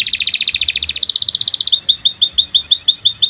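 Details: Canary song in a training recording for young songbirds: a fast buzzy trill of closely packed high syllables that steps down, then a slower series of clear high whistled notes.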